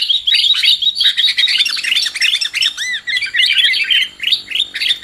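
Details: Lure call of sooty-headed bulbul for bird trapping: fast, irregular chirping with bubbly arched notes, roughly three per second, forming a noisy, excited chorus.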